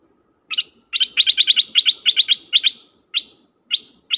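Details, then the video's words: Dok taeng bird used as a decoy to call wild birds, giving a lively series of sharp, high, repeated chirping notes, rapid at first and then slowing to spaced single notes. "เสียงนกดอกแตงEp.132นกต่อจ้าวขันเงิน เปิดดอกเรียกนกป่า เพลงเพราะน่าฟัง"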